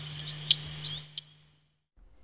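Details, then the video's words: Blackcap, a bird of woodland, scrub and gardens, gives two hard, stony 'tek' clicks about a second apart; agitated Blackcaps string these calls together and come into the open; faint warbling from another bird and a low hum behind. "When very agitated, Blackcaps will string these 'Tek Tek' calls together and often come out into the open and be easily seen."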